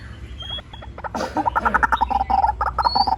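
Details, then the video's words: White-breasted waterhen on a bird-lure sound file: a brief noisy burst, then a fast, jerky run of short croaking and bending notes, about three or four per second, growing louder. "Tiếng chim cuốc"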